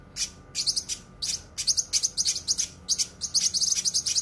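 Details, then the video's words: Cucak kinoi training song, dense and sharp: quick clusters of high, bright twittering notes tumbling close together with short gaps, fast and sustained throughout. "suara masteran cucak kinoi full suara rapat tajam"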